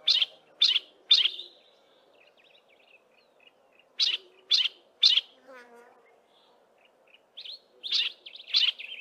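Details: Part of a duet from one yellow-breasted apalis, its mate silent, recorded in dense wooded valley west of Grahamstown; groups of two or three sharp buzzy chips separated by pauses, with quiet high twittering in the gaps.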